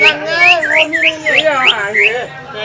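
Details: At a practice bird contest in Semparuk, a green leafbird gives a lure song: a run of clear, slurred whistles, each sweeping upward, about three per second, with human voices faintly underneath.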